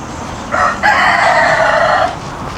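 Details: Chicken (Gallus gallus domesticus) in a village in Penang, Malaysia, in the morning, gives a single hoarse crow of about 1.5 seconds: a short opening note, then a long drawn-out phrase, over a low hum.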